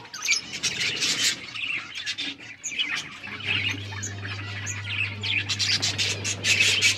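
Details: Breeding colony of budgerigars on October 29, 2023, many birds calling at once: rapid high chirps and scratchy warbles in near-continuous waves, louder toward the end, over a low steady hum starting about halfway through.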